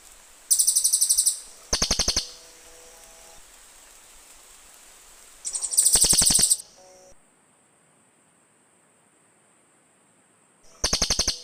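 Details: Cililin birds in back-and-forth calling, used for luring forest birds: loud trills of rapid clicking chirps, including a longer dense run around six seconds in, then a quiet pause before a final burst.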